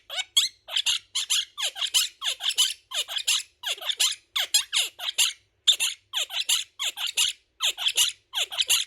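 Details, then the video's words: Pet monk parakeet (Quaker parrot), a male, chattering, with words such as "what you doing" nearby: a steady run of harsh, scratchy, downward-sliding squawks, about three every two seconds. Chattering is said to come when sleepy, relaxed or playful. "Quaker Parrot Chattering Words | TALKING PARROT NOISES"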